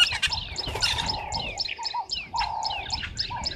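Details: At a waterhole on Djuma Game Reserve, Sabi Sand, South Africa, at 05:30 on 11 August 2023, red-billed buffalo weavers collecting nest material give quick runs of short, high, sharp notes with descending sweeps, while lower whistles sound behind.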